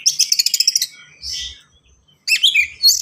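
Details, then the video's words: Kacer (Oriental magpie-robin) song, fast and dense: a rapid machine-gun run of high chips, a hoarse buzzy note, then a burst of twittering whistles. "KACER GACOR SPEED RAPAT FULL ISIAN"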